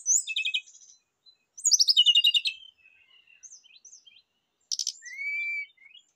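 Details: Rufous-chested flycatcher song used as a lure and therapy recording: high, fast trilled phrases and rapid buzzy stutters, then a thin rising whistle sliding upward, with short pauses between bursts.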